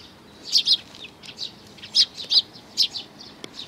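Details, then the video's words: Paired and doubled high chirps from sparrow parents and chicks on 11 May 2019, fairly loud, coming in quick clusters with a single sharp click near the end. "可愛いすずめ達 20190511 5（雛鳥親子がやって来た）"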